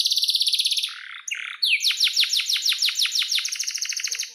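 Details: Singing canary, an energetic long song used to teach young canaries: a fast high rolling trill, a brief buzzy pause, then a run of about a dozen sharp descending chirps repeated rapidly.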